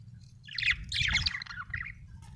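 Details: Budgerigar chirping happily: a continuous run of scratchy, warbling chatter with squeaky rising and falling notes, fading toward the end.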